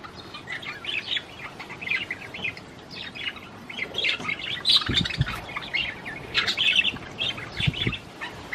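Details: Budgerigar song meant to encourage a female to mate, a busy chatter of squeaky chirps, harsh notes and clicks, with a few brief low thumps in the middle.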